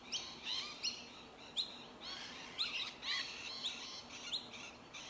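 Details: Several Rainbow Lorikeets (Trichoglossus moluccanus) feeding on tree violet berries in suburban Melbourne, Victoria, in January 2021 give sharp, screechy chirps, overlapping in quick bursts over a faint steady hiss.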